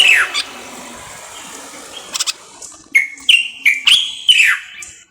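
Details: Common bulbul of the Moroccan type: after a soft opening note and quiet stretch, five loud whistled notes follow in quick succession, each bending down at the end.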